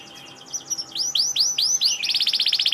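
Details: Canary singing in lively, rapid form: high chirps, then a run of loud downward-curving whistled notes about five times a second, ending in a fast buzzy trill of even repeated notes.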